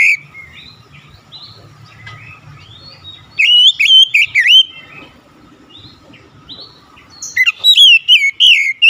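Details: Oriental magpie-robin (kacer) singing to restore a bird gone quiet: quiet warbling, then loud bursts of sharp whistles and looping slurred notes, a pause, and another energetic burst of rapid twittering phrases.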